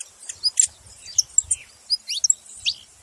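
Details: Saffron finch (canário da terra) uttering a few scattered, sharp high chirps and short whistled notes, spaced irregularly over three seconds in a quiet setting.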